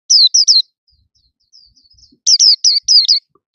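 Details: Loud caged white-eye song delivered while its cage is held up: a burst of three sharp high falling notes, a quiet pause, then five more crisp downslurred notes.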